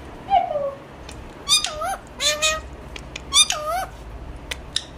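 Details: An Alexandrine parakeet talks: a soft falling note, then three clear nasal utterances that dip and rise, with scattered clicks and light background noise.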